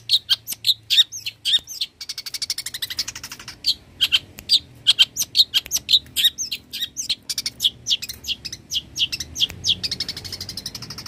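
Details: Long-tailed shrike, known for imitating small and large birds, song intended for training cage birds: a long fast sequence of sharp high chirps and scratchy rattles, tumbling steadily with occasional buzzy trills.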